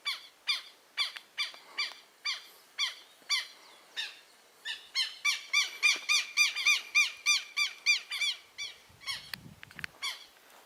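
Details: Newly hatched southern lapwing chicks calling: spaced, sharp peeps that quicken into a dense, overlapping run midway, then break off into scattered peeps and soft rustling at the end.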